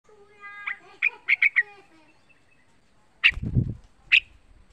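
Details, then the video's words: Young, pet yellow-vented bulbul, a lively singer used as a lure to get other bulbuls singing: short bubbly chirping notes in a quick cluster, a pause, then two sharp separate notes, with a brief noisy thump between them. "Suara trucukan muda gacor kualitas super MENTAL paling dicari buat Pancingan trucukan agar bunyi"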